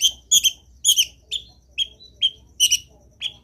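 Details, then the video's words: Long-tailed shrike in lively training song: clear, ringing chirps, some doubled, repeated about every half second with short gaps between. "CENDET GACOR BIKIN BURUNG CENDET LAIN IKUT BUNYI - MASTERAN CENDET GACOR FULL ISIAN"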